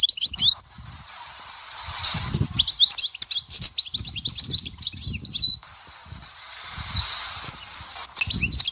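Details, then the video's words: European goldfinch, Dahouara sector song style, Souk Ahras in Algeria: a lively three-second run of rapid, high, jingling notes and buzzy slurs, then a quieter hiss and a few closing twitters, over low knocks. "تغريد حسون سيكتور الدهوارة سوق اهراس"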